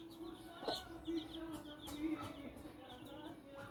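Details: Thirteen-day-old Silver Laced Wyandotte chicks eating cooked fish alongside a hen. They give high, thin peeps in short repeated series, with a steady low hum and soft pecking clicks beneath.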